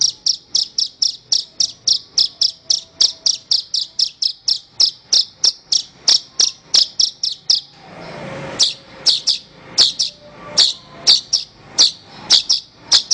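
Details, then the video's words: Horsfield's bush lark song for training other birds: a long, rapid rattle of very high, clipped chirps repeated several times per second, a brief noisy break, then slower, more spaced chirps resuming. "Ocehan Suara Burung Branjangan"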